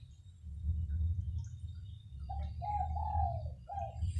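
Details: Spotted dove phrase of three to four soft coos, the middle one long and falling, heard through loud low-pitched rumbling noise that dominates the first half.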